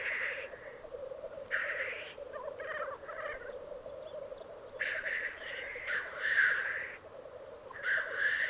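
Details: Black grouse cocks displaying at a lek in the Piedmont Alps of Italy, 2022. A constant murmuring bubble of cooing is broken by short hissing sneezes at irregular intervals, with a longer hiss burst near the end.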